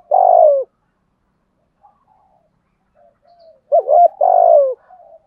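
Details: Spotted dove, a caged bird used to make young birds coo back, giving a low, rich coo of about half a second, then a short double note and a second long coo; quiet pauses between.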